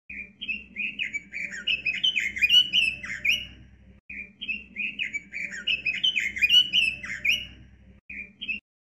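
Robin singing two fast, warbling phrases of varied high, clear notes, each about four seconds long, over a faint low hum.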